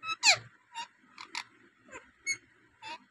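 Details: Rose-ringed parakeet, a native talking bird, utters a string of short harsh squawks roughly every half second, the first loudest, with a faint low hum behind.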